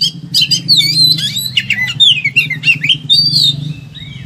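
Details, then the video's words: Caged Oriental magpie-robin in high emotion rattles off dense, fast whistled phrases and chattering notes over a loud low hum, a song used to encourage silent birds to sing. "KACER EMOSI TINGGI BONGKAR SEGUDANG MATERI"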